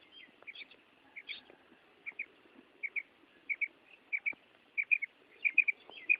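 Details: Female common quail calling: short, high paired notes in crisp doublets about every 0.6 seconds, growing louder toward the end over a faint low background hum.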